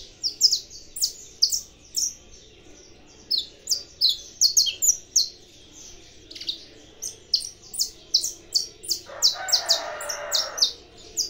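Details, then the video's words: Long bout from an aviary-bred saffron finch: bursts of quick, very high chirps and buzzy notes with short pauses, and a broad rushing noise around the ninth to tenth second. "canário da terra cantando"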